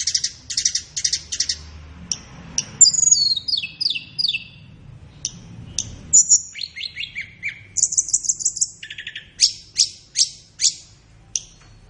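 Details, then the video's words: Flowerpecker song for training captive birds, best played in morning or afternoon: twelve seconds of high ticking trills, cascading downslurred notes, a bright buzzy burst and scattered sharp chips over faint background rumble. "Masteran Terbaik Tledekan"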